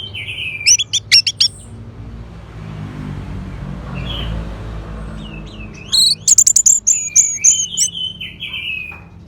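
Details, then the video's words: Orange-headed thrush song: clusters of very high, crisp staccato notes mixed with slurred whistles, a quiet gap in the middle, then a longer rapid burst of ringing notes and falling whistled phrases. "Suara ANIS MERAH"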